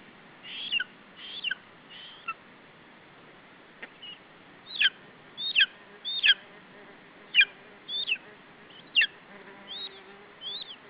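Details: Lesser spotted eagle chick at a nest in Estonia, calling while protecting its food from an adult in July; sharp, high, slurred squeals in irregular bursts, louder toward the end, over steady background hiss.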